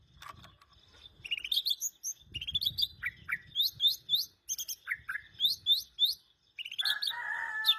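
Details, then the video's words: White-rumped shama singing rapid, varied phrases of high, sweet whistles and quick chirps in bursts, with some lower falling notes and a brief lower trill near the end, over faint low rustling; played as a lure to prompt other shamas to sing. "Murai batu gacor"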